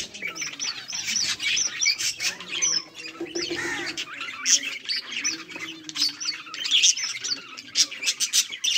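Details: Budgies at play, 24 July 2023, filling the air with nonstop overlapping chirps and warbles, quick high notes repeating densely throughout.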